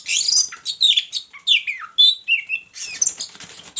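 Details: Hanging-cage Oriental magpie-robin paired with a mate, pouring out dense, scratchy and whistled notes in quick succession, rising and falling, with fluttering rustles near the end.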